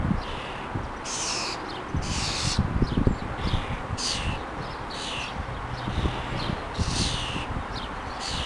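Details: Garden common starling with her little ones being fed in the morning; repeated scratchy, wheezing rasps in short bursts, some higher and thinner, with steady low-pitched background rumble.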